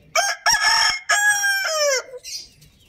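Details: Rooster crowing loudly: a harsh, harmonic-rich crow in four quick segments over about two seconds, the final drawn-out note sliding downward, then a short fainter tail.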